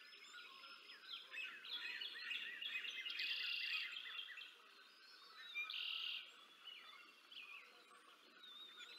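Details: Nest-camera recording from Decorah North on 20 April 2024 as the female bald eagle feeds two eaglets: short buzzy high bursts about three and six seconds in, between softer squeaky chirps and steady background birdsong.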